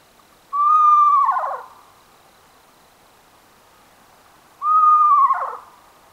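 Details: North American owl calling: two drawn-out, clear tones, each about a second long, holding steady then sliding downward into a rough, breathy end, spaced roughly four seconds apart over quiet background.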